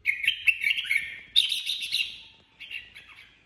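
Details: Red-whiskered Bulbul, a kept bird, in improvised 'ché' song: two loud bursts of bright, rapidly warbled whistles with sharp accents, followed by a softer trailing phrase.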